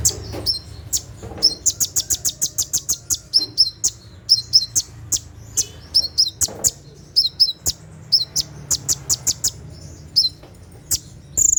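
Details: Brown-throated sunbird singing its 'tembakan' style after dark: long, lively strings of crisp, very high ticks mixed with short slurred whistles, bursts running several seconds with brief pauses between.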